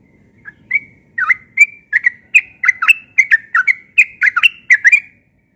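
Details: A yellow-vented bulbul persistently delivers its morning ropel song: after a few hesitant notes it breaks into a quick chain of gurgling, up-and-down whistled phrases that stop abruptly.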